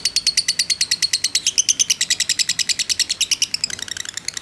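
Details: A fighter lovebird's long trilling 'ngekek', used to bait other lovebirds: loud, rapid, high-pitched pulses in a steady chain, breaking into a looser, fainter chatter near the end.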